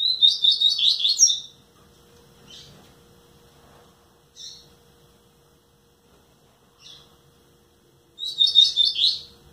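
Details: Nine-month-old captive rusty-collared seedeater giving short bursts of rapid, buzzy high twittering at the start and end, separated by several seconds of quiet with scattered single chirps; steady low hum in the background.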